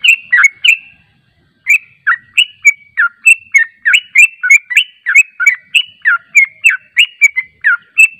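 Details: Yellow-vented bulbul lure sound: an opening flurry of bubbly notes, a half-second pause, then a sustained run of bright, slurred chirps rising and dipping in pitch at a quick, steady pace.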